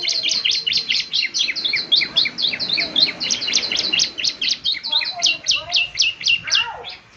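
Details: Bar-winged prinia in full, energetic song for morning playback to prompt replies: a continuous fast chatter of high, clipped notes, about four per second, ending in a quieter descending sweep.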